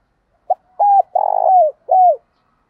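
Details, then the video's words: Spotted dove cooing used as a lure to draw in wild doves: one full phrase of a short soft note, a steady coo, a longer rolled, burry coo and a final falling note, in a quiet setting. "chim cu gáy mồi cây gáy gọi bổi, tiếng chim cu gáy dùng kích bổi"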